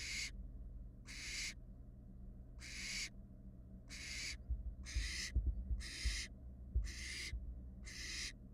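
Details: Barn owl fledglings on a Florida nest camera in 2022 utter eight harsh hissing screeches at uneven spacing, some closer together near the end, while scuffling thuds sound from the box floor.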